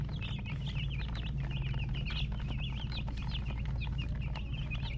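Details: Chicken chicks give rapid trills of high, zigzagging cheeps one after another, lively and near, over a low steady hum.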